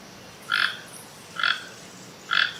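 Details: Three loud, raspy croaks from a toucan, evenly spaced almost a second apart, each short and harsh with a buzzy tone, over faint background hiss.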